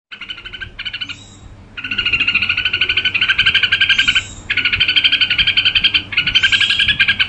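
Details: Red-whiskered bulbul singing, a caged bird trained for song: bright chattering phrases of rapid repeated notes, loud bursts of about a second to two seconds separated by short pauses, with a faint low hum behind.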